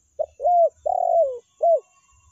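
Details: A single spotted dove lure-call phrase in the meratus and melambung styles. A brief note opens it, followed by an arched coo and a long coo sliding gently downward, then a closing short arched note.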